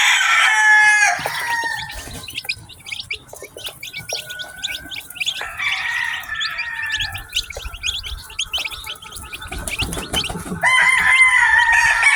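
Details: A batch of ten newly hatched chickens cheeping: many thin, quick, high-pitched peeps tumble over one another in a busy, steady stream, with louder drawn-out calls at the start and end.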